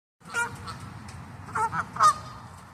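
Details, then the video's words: Wild geese honking: a few loud, nasal honks in quick pairs, with the last one the loudest, over a low background rumble. "This is how wild geese honking like!"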